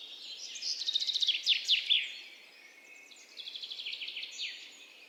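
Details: Greater yellownape calling: a rapid run of about a dozen sharp, high, downslurred notes, a pause, then a second, quieter run of similar notes, with faint chirps of other birds overlapping throughout.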